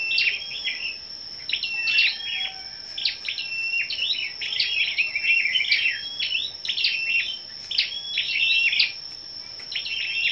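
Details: Competitive morning singing by gathered scarlet-backed flowerpeckers on 10 May: rapid bursts of very high, sharp clicking chips and brief level whistles, delivered in clusters roughly every second, with a constant high-pitched hum behind.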